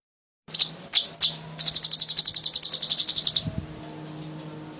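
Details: Olive-backed sunbird (kolibri ninja) singing vigorously, used to lure other sunbirds into song: three sharp high chips, then a fast, even, buzzy trill of about twenty notes lasting two seconds, then a faint low hum.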